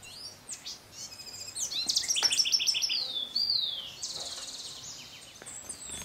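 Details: Scrub blackbird at Sachatamia Lodge, Ecuador, May 2012: rapid, high, sharp chirps, then a clear downslurred whistle, with quieter chirping continuing over faint background hiss.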